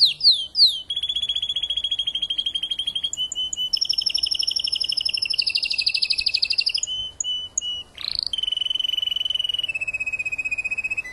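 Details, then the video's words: Post-moult song of a Spanish timbrado breeder and tutor bird: a long varied sequence of slurred notes, fast metallic trills, sudden pitch changes, brief pauses and a sharp sweep, ending in a low rolling tour. "TIMBRADO RODOS"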